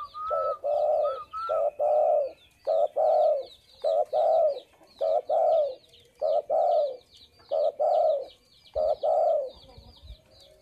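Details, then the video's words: Actively calling spotted dove giving steady low paired coos, a brief note followed by a drawn-out fading one, repeated roughly every second, over a continuous background of thin twittering from other birds. "Burung derkuku/deruk mbekur gacor"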